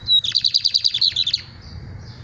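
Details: Lined seedeater trill: one sharp high whistle, then a rapid series of about a dozen buzzy, slightly falling notes lasting just over a second. The trill fades into quiet hum.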